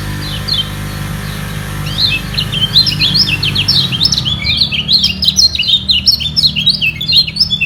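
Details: White-eye in a song contest to hold its place: sparse high chirps at first over a low droning hum that fades, then a quickening flow of sharp, high twittered notes.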